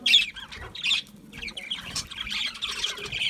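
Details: Budgerigars eating a seed mix, giving bright, scratchy squawks and chirps in short bursts, with busy overlapping chatter between the louder calls.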